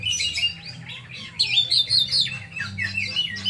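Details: Oriental magpie-robin (kacer) in full song, rapid warbled phrases of looping, wavering whistles and chirps packed closely together, accompanied by a constant low hum.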